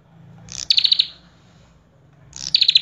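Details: Common tailorbird in full song: two bursts of rapid, sharp, high chirped notes, each a quick run of about five bright repeated pips, separated by a short silence; faint low hum beneath.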